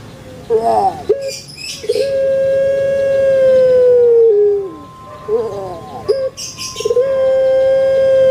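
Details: Captive puter pelung Barbary dove kept in Indonesia repeats its big-voiced song twice: wobbling gurgled notes and a short stutter, then a long, level, sustained coo that falls away at the end.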